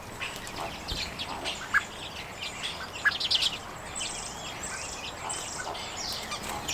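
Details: Feeding common redpolls on sunflower seed in late January 2022, captured with a Canon EOS M50; rapid high chirps and a short burst of buzzy trilled notes near three seconds, then thinner twitter and faint hiss.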